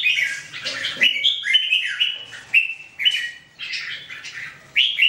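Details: Red-whiskered bulbul song, a lively series of short, chirpy warbled phrases with rising and falling slurred whistles, repeated about every half second to one second.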